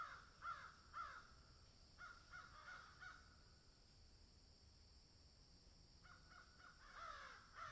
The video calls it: Crows Caw in Field